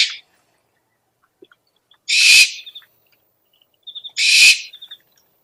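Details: Owl lure sound: after a brief tail of an earlier call, two long hoarse hissing screeches come about two seconds apart, each followed by faint rapid ticking notes.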